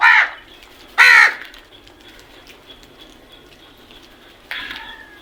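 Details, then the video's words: Crows calling in the morning: two loud harsh caws about a second apart, then a softer drawn-out caw near the end, with faint chirps of other birds in the background. "Crows sounds"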